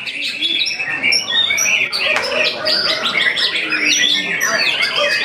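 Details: White-rumped shamas competing in the main class of a songbird contest at Tamansari on Sunday 11/02/2024, several singing at once in a dense overlapping stream of rich, varied whistles and quick trills, with faint crowd murmur.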